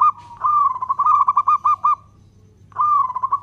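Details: Local zebra dove in active long-beat song, used to provoke other doves: a long phrase of hollow cooing that breaks into evenly spaced pulses, a short pause, then another rolling coo starting, over a faint low hum.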